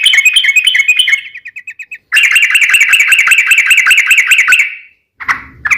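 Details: Yellow-vented bulbul in a long rolling song used to provoke singing. A rapid bubbly trill slows into separate ticking notes, then a long, fast, even run of bright notes, and a final short chirp.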